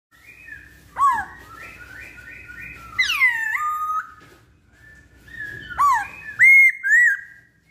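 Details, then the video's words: Masked laughingthrush, known locally as poksay Hongkong, in a pancingan (lure) song recording: loud whistled notes that sweep down then level off, a run of steady wavering tones, and short bright rising whistles near the end. "Pancingan Poksay Hongkong"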